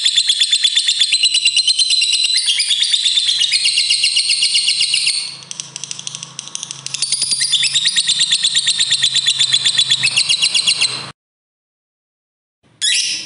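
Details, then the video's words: Fighter lovebird in long ngekek song meant to prompt other lovebirds to sing: fast, piercing, high trill pouring on for about five seconds, a brief dip, then another sustained rapid chatter before an abrupt silence and a short restart. "Suaranya SANGAT JITU BIKIN LOVEBIRD CEPAT BUNYI, LB Fighter Ngetik Ngekek Panjang"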